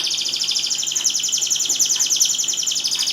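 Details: Canary song used to prompt silent canaries into singing: one unbroken, loud, rapid trill of high buzzy notes, pulsing steadily throughout.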